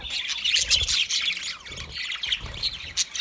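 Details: Budgerigars in a dense, continuous chatter of high, scratchy chirps and short squawks, overlapping rapidly without pause, with a faint low rumble underneath.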